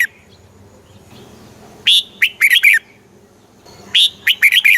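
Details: Red-whiskered bulbul kept in a cage in Thailand, played to rouse and teach birds in the southern master style; two lively phrases of clear slurred whistles, each about a second long, over a soft low rumble.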